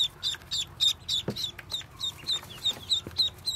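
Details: Newly hatched yellow Muscovy ducklings from a brood of 25 hatched by a white Muscovy duck give high, thin peeps, about three to four a second, each a quick rising-and-falling note; two soft low thumps in background.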